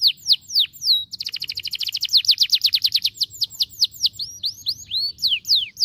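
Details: Caged domestic canary singing at home: a few whistled, steeply falling sweeps, then a fast, even trill of bright notes lasting about two seconds, then a run of varied slurred notes with a quiet hum beneath.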